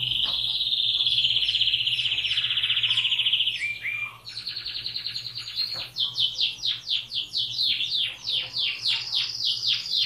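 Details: Canary in song: a long rolling high trill for several seconds, a buzzy rattling tour, then a series of sharp descending whistled notes repeated rapidly.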